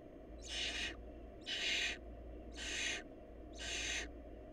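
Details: Barn owl chicks in a family lacking food: four noisy rasping hisses evenly spaced about a second apart, each half a second long, steady low-pitched background hum.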